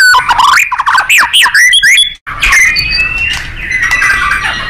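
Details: White-rumped shama in a loud, lively nembak-style training song for contest birds: fast looping whistles and bright chips, a brief break, then long thin level whistles over scratchy warbling.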